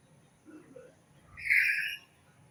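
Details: A bird calls once with a brief, full-toned burst, preceded by a few soft, faint notes, over low steady background noise.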